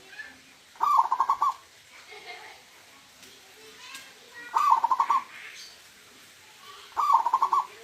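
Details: Three fast, stuttering coo phrases from a local wild zebra dove with a "huuurrr" voice, spaced about three seconds apart, over faint background noise.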